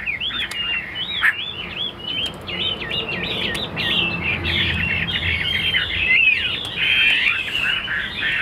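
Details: Chinese hwamei kept in a cage delivering a long, continuous stream of bright looping whistles and tumbling warbles, phrases repeating and varying, with a low rumbling background and occasional clicks.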